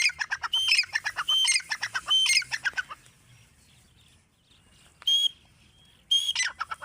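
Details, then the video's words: Grey francolin, locally dakhni or irani teetar, gives a fast series of harsh, clipped notes in quick phrases for about three seconds, falls silent, then adds two short loud bursts near the end. "Teetar voice | grey francolin dakhni teetar sound | irani teetar ki awaaz"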